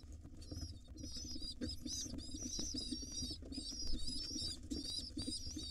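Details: Wild pigeon nestlings begging in a nest box as their mother feeds them: rapid, continuous high squeaky peeps with thin overtones, layered over a steady low hum and soft shuffling.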